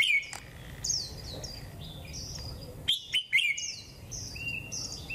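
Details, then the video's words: A Warbling white-eye of the double-banded type sings a fast, high "líu thung" song on a cold 11°C day: a twittering run of thin slurred whistles and sharp chirps with almost no pause, over a faint low hum. "chim khuyên HỌA KÉP nét siêu đẹp hàng líu thung"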